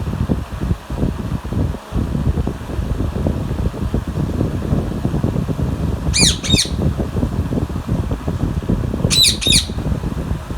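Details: Alexandrine parakeet eating mango: two short, harsh, rasping screeches, about three seconds apart, over a steady low rumble of background noise.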